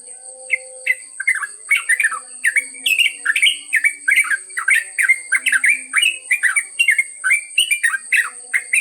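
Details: Yellow-vented bulbul delivering a long ropel song, rapid liquid chattering phrases of short slurred notes following one another for the whole stretch, over a thin steady high whine and faint low hums.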